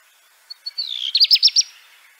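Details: Brief black redstart utterance: two or three soft high notes, then four or five crisp, evenly spaced bright chirps.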